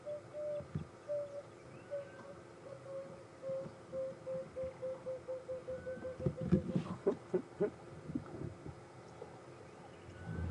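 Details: An Emerald-spotted wood dove, seen perched on an evening drive near Manyeleti on 18 January 2015, gives soft, low coos that start slow and speed up into a quick tumbling run; a voice speaks over the end.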